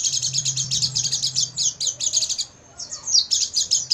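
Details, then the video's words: Oriental white-eye singing at night, recorded to train caged birds: fast, high, twittering chirps in a steady run, a brief silence near the end, then the rapid chirping resumes; a low steady hum underneath. "MASTERAN PLECI MALAM HARI,AGAR PAGI GACOR BUKA PARUH dan bongkar isian"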